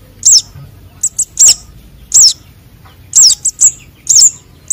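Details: Nestling konin and sogon sunbirds, recorded as a trapping lure: sharp, very high twisting squeaks alternating with shorter clipped tsip notes, about a dozen over nearly five seconds, with a soft low rumble beneath.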